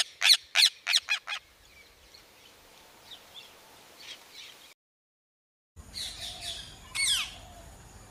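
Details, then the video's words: A parrot gives five quick, harsh squawks, then softer chatter; after a short break, rasping, scratchy calls follow, with no clear spoken words. "Parrot 🦜Talking"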